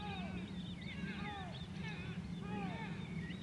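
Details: White-tailed eagle recorded at Grönvik, Ornö, 16 July 2024, giving drawn-out descending yelps and some higher wavering notes, set over a constant low motor drone.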